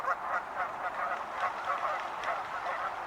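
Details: Dense chorus of wild geese, many nasal honks running together into a continuous clamour with few clear gaps.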